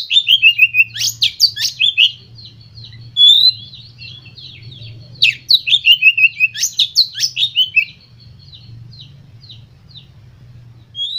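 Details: Song of a White-rumped shama played to stimulate other birds: two loud bursts of quick descending chirps separated by softer twittering, over a low background hum.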